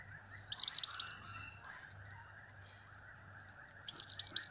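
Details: Blue-crowned hanging parrot calling in cap-cap, kiak-kiak and crap-crap styles, two rapid bursts of four shrill, buzzy notes about three seconds apart, with a soft low hum beneath.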